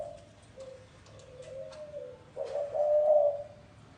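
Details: Spotted dove cooing in the gáy gù style: quiet drawn-out low hoots at first, then a louder, fuller cooing phrase near the end, with faint background clicks.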